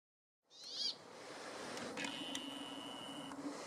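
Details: A brambling in forest near Ruka, Finland, gives a single long, flat, buzzy wheeze lasting over a second, after a brief twittering burst, over steady background hiss.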